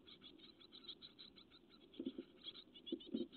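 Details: Great tit chicks, getting big, on a nest webcam on 12 May 2017, give a steady stream of thin, high, rapid begging chirps, with soft scratching and rustling thumps in the nest.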